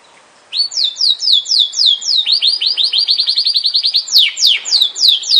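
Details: Yorkshire canary song opening after brief silence with slow descending slurs, speeding into a rapid rattling trill, then broader sweeping notes to finish.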